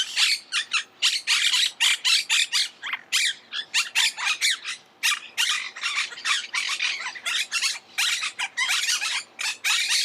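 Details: Monk parakeet: continuous scratchy chattering with harsh squawks tumbling quickly one after another and only brief gaps.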